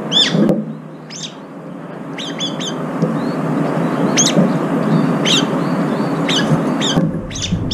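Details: Several brown-eared bulbuls feeding together and competing for food, one bird with a disabled left foot among them; sharp, arched high chirps come in irregular bursts over a steady low background hum.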